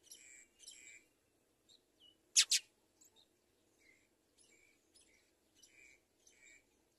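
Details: House sparrows feeding two chicks: short pairs of chirpy notes, a sudden loud burst of two harsh chirps midway, then a string of softer repeated tweets over low background noise.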